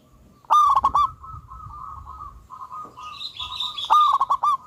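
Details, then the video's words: A loud local zebra dove opens and closes with bursts of rapid, pulsed coos. Continuous softer cooing runs between them, and a higher, thin chattering from another bird joins in the second half. "Pancingan burung perkutut Lokal Alam super Gacor suara Besar"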